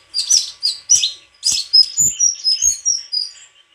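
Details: White-throated flycatcher singing a varied run of high, sweet chirps and short whistled notes, with phrases sliding downward, delivered in quick bursts about four per second; faint low knocks in the background.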